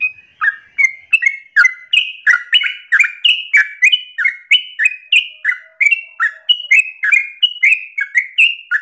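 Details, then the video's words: Sooty-headed bulbul delivering vigorous 'ropel' song as a lure for other birds: quick, sweet chirped phrases, each swooping down then up, repeated about three per second, with a faint steady tone in the middle. "Trucukan gacor narung ropel ngotot paling Bagus untuk pancingan masteran"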